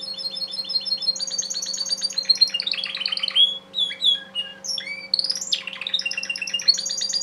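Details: Timbrado canary cock from a breeder's own stock, singing a loud, continuous song of rapid repeated notes, trills and high slurred whistles, with brief pauses near the four and five second marks; a steady low electrical hum underneath.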